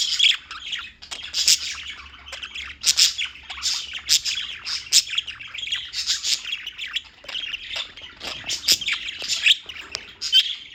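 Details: Continuous chirping from a group of birds in New York: busy, high-pitched tweets and short squawks tumbling over one another in bursts, with brief louder peaks every second or so.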